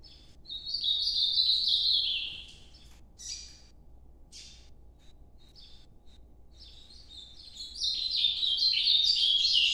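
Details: Ultramarine grosbeak, Nordeste song style sung at night: a bright sliding warble, a few short separate notes during a quieter gap, then a second loud twisting phrase.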